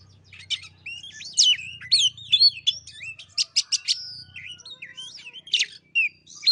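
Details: White-rumped shama song played as a lure to get a lazy bird singing: a rich medley of rising and falling whistles, rapid clicking trills and sharp high notes, with a soft low hum underneath.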